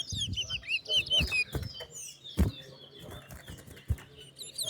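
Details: Towa-towa seed finch singing in a bird singing race at New Amsterdam bird ground; quick whistled, warbling notes swoop up and down in short bursts, with a man counting aloud, sharp knocks and low background rumble.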